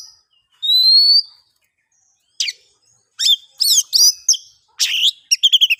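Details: Oriental magpie-robin song, used to lure silent birds into singing: a long rising whistle, then a pause and bursts of buzzy, scratchy phrases ending in a quick run of five repeated notes.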